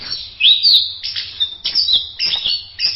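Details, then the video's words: Masteran song from an orange-headed thrush: clear rising and falling whistles alternating with short buzzy bursts, four phrases in quick succession over a faint low hum. "Berbagai kicau burung anis masteran"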